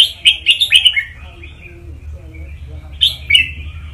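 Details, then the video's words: Red-whiskered bulbul tutor song meant to stir up other birds: a fast run of sweet chirped notes opening the passage, softer warbling in between, then another lively burst near the end over a constant low hum. "เสียงนกกรงหัวจุก นกครูเพลงเพราะ ๆ ยั้วนกฟังนกคึก"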